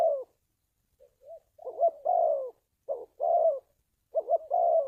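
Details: Spotted dove call for decoy training and trapping: a drawn coo, then soft short notes building into pulsed double coos and longer falling coos, phrases irregularly spaced.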